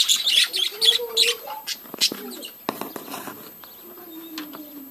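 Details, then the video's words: Budgerigar breeding colony, loud scratchy chatter bursts in the opening seconds, then sparser clicks and a long, softly falling whistled note as the chorus quiets. "budgies breeding colony"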